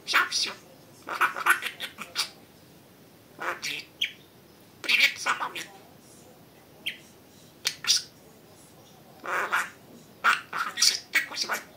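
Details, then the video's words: Pet budgerigar talking indoors: bursts of fast, scratchy chattering syllables, high and noisy, in short phrases separated by pauses of one to two seconds. "Говорящий попугай Кеша 🥰 Волнистый попугайчик разговаривает"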